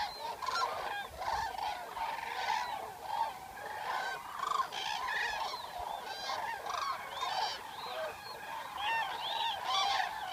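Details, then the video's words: Eurasian (common) cranes in the wild, captured over a night outdoors; dense, overlapping trumpeting calls from many birds, bugling notes rising and falling in quick succession with bright upper harmonics, barely any pause. "Eurasian Cranes Sound Library"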